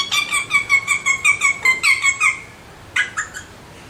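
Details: Alexandrine parakeet giving a rapid series of about ten harsh, harmonic squawking notes at a steady pace, then a brief pause and three shorter squawks.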